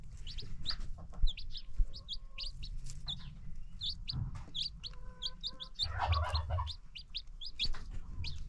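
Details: New chicks on a free-range chicken farm peep busily in high, short rising notes, overlapping each other, with occasional clucks, a soft whirring noise and background hum.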